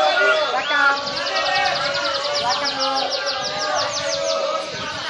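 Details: Yellow canary singing a dense, rolling song with a fast trill of repeated high, downward-swept notes, about five per second, over layered warbling and faint background chatter.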